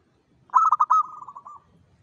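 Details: Song of a local zebra dove, used to attract other zebra doves: one bout of fast, rolling coo notes that runs into a long, slowly fading purr, in quiet surroundings.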